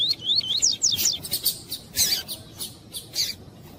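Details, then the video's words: Female double-collared seedeater calling to stimulate the male: a fast series of thin, high whistled notes, each rising and falling, then sharper chirps spaced irregularly, with the bird calling persistently. "COLEIRO TUÍ-TUÍ COM FÊMEA PIANDO MUITO PARA ESQUENTAR COLEIRO FRIO"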